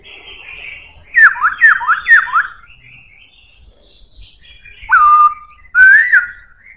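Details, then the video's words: A black-throated laughingthrush with a strong voice sings loud, rich whistles: three quick downslurred notes, then a strong falling whistle and a rising one, with faint background chatter. "Khướu bạc má hót cực hay,giọng khỏe"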